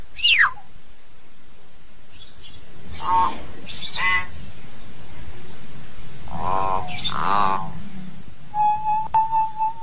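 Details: Common hill myna calling its flock with a quick falling whistle, then rough, gurgling harmonic squawks in pairs and a final flat, steady whistled tone, against low background hum.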